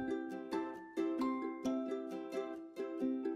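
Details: Plucked ukulele chords strum in a steady rhythm in a small indoor room, with no animal calls heard.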